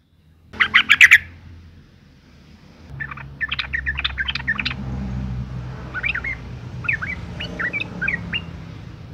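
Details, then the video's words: Female sooty-headed bulbul in breeding condition, calling to males and used as a lure to make them sing: a dense burst of sharp chirps, then quieter rapid chattering notes and a few thin rising whistles, over a low background hum. "suara panggilan burung trucuk betina gacor birahi"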